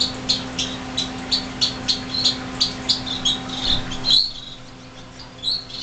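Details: Fledgling finches calling in a greenhouse in January 2007, their first day out of the nest: a regular series of short high chirps, about three per second, then a brief thump and fainter calls over a constant hum.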